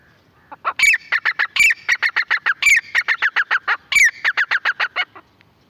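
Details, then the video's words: Francolin calling: a loud, fast series of short clipped notes, about three or four per second, rising and falling in volume, with a few louder higher notes standing out among them, on an otherwise quiet background. "Jagli teetar ki aawaz"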